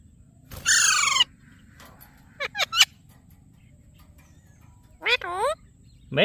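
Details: Alexandrine parakeet giving loud, harsh screeches rich in harmonics: a long raspy call near the start, quick rising chirps midway, then wavering, downward-bending cries toward the end, separated by quiet pauses.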